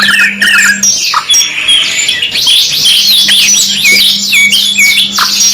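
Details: Kenari (canary) singing in a masteran 2-in-1 track: quick whistled notes lead into a long rolling trill of downward-sweeping syllables, about two per second in clusters, over a persistent low hum.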